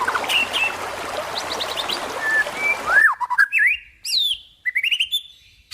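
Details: Training master song for trocok garuda: a songbird sings thin whistles over noisy background, then after an abrupt cut a clean run of looping slurred whistles and quick rising chirps.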